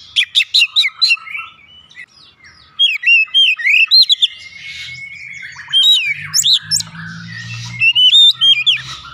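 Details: Oriental magpie-robin lure song: rapid sharp chirps, then a long level whistle and swooping slurred notes, with a low droning hum later on.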